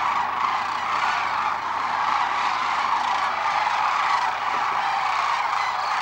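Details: Sandhill cranes on spring migration along the Platte River at Gibbon, Nebraska, 6 March 2016: a dense, unbroken chorus of rolling, rattling calls from a large flock, merging into a steady roar with no gaps.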